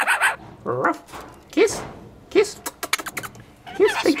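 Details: A roughly 7-month-old pet scaly-breasted lorikeet, a talking bird, mimics a dog with a few short, husky barks between bursts of mumbled chatter and gives kisses while a person talks to it.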